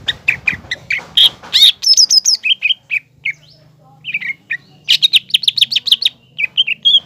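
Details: Energetic green leafbird song meant to make a juvenile spotted leafbird excited and aggressive: rapid chattering bursts, high thin trills, then quick whistled phrases, over a faint low hum.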